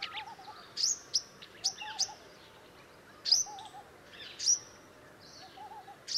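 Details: One of a nesting pair of Purple-rumped sunbirds (Leptocoma zeylonica) gives sharp, very high tsip notes in irregular bursts, against a soft, lower warbling from another bird and faint background hiss.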